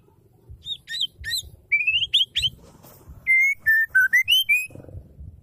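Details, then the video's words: Female white-rumped shama singing, a song used to stir males into singing; clear whistled notes, some rising and some level, in quick bursts with bright overtones, then a run of steady and rising whistles, over low background rumble. "Murai batu betina | Murai betina gacor"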